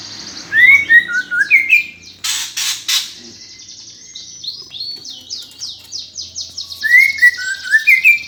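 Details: Greater green leafbird (cucak ijo) delivering a fighting sparrow-style song ('gereja tarung') meant to provoke competition birds. Loud lower whistled notes open and close the phrase around a long run of high downslurred chirps, with a brief harsh noisy burst early on.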